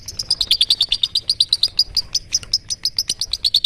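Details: Long-tailed shrike, called cendet, giving its toet toet song; a rapid, even series of sharp high chips, about eight per second, running steadily through nearly four seconds.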